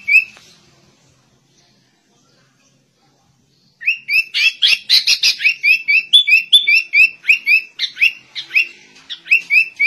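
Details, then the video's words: After near silence, a sooty-headed bulbul bursts into shama-imitating song, a rapid chattering stream of short warbled and whistled notes with no pauses. "Kutilang Rasa Murai Batu"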